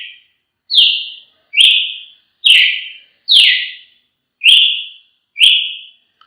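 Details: Brazilian tanager (tiê-sangue) singing a series of six short, clear whistled notes, each dropping slightly in pitch and fading, spaced about one second apart, over a silent background.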